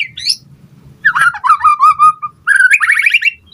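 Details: White-rumped shama singing in a lure recording to provoke responses from other birds: a high rising whistle, then a wavering whistled trill, followed by a fast buzzy rattling series.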